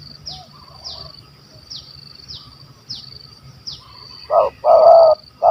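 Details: Spotted dove with a big, stammering voice of the 'kuk 12' type, the target of a bird hunt in Malaysia. Three loud, rough coo bursts come near the end, after a run of repeated high, buzzy, sweeping insect-like chirps.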